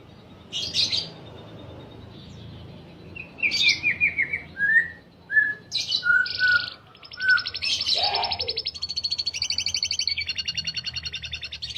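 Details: Singing canary, a long-duration song used as filler-song tutoring for lovebirds; clear whistled notes descending in steps, then buzzy chirps and a long fast rattling trill to the end.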